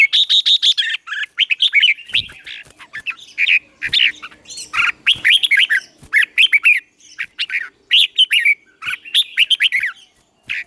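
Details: Red-whiskered bulbul singing its morning training song to excite newly caught birds, Vietnam: long run of quick chirpy whistled notes, many sharply rising or falling, in bursts with brief pauses and a faint low hum behind.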